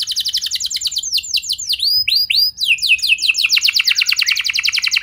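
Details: Canary song played to lure other canaries into singing: rapid repeated high trills of downward-sweeping notes, shifting through several tour types with slurred falling whistles in the middle.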